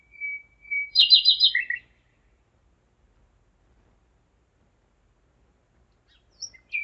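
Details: Common nightingale singing in the dark at 01:55, 5 May 2017, in Zeitz, Germany; a thin level whistle leads into a burst of loud, fast repeated chirps, then silence and a rising note.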